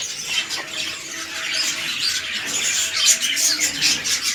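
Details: Red-eyed lutino budgerigars, a breeding pair of king-size male and undersized female: continuous high scratchy warbling and squawky chirps, many overlapping voices, steady busy aviary chatter throughout.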